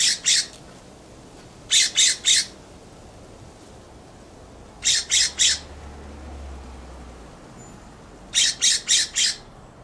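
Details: California scrub jay perched on a plum tree in a backyard giving harsh, loud scolding calls: four bursts of rapid rasping notes, in groups of three or four, spaced a few seconds apart over a faint background hiss.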